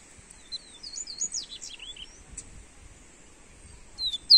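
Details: Coleiro seedeater singing for warming up another bird: a fairly soft run of high slurred whistles, descending into short twisting notes, followed by quiet and a brief high note at the end.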